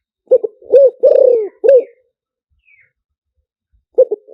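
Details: Spotted dove decoy song in the liu tan style, used to lure wild doves: two short low coos, a purring coo, a long falling drawn-out coo and a final coo, then a pause before another phrase begins.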